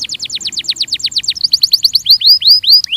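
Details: Belgian canary in a training recording, delivering a rapid series of descending chirps, then faster clipped notes and several upward-swept whistled notes near the end.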